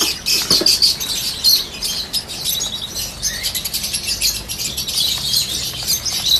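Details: Busy chattering of Peach-faced lovebirds, with yellow birds also listed: sharp, squeaky chirps pile up continuously and peak early, against a low steady hum.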